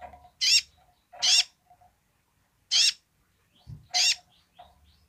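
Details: Basic song of a kolibri ninja sunbird in full voice: four rasping high bursts in quick uneven succession, mixed with softer mid-pitched chips and a brief low thump.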